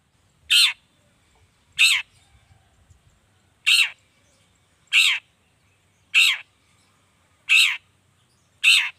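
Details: Long-tailed shrike, known locally as cendet, calling to provoke other shrikes into answering: loud harsh broadband rasping notes, seven in nine seconds, spaced at fairly even intervals of about 1.3 seconds, with faint low rumbling between.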